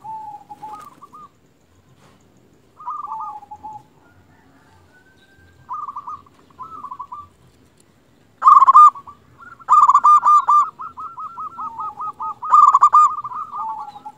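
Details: Zebra dove of local Indonesian stock, sung to make quiet or stressed doves call back: scattered soft coo phrases with pauses, then a loud rolling outburst followed by a long, fast, even run of repeated notes.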